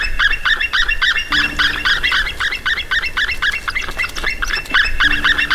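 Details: A white-tailed eagle pair at a webcam nest in Latvia on 17 October 2018 drive off an intruder in nest defence. They give a rapid, continuous series of sharp yelping notes, about four per second, over a faint intermittent low hum.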